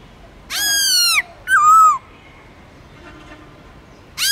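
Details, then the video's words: Black-throated laughingthrush kept as a cage bird, singing forest-voice song: a loud, drawn-out harmonic whistle, then a shorter sliding note dropping in pitch, with a third phrase starting at the end. "Khướu Bạc Má Hót Giọng Rừng LUYẾN DÀI HAY"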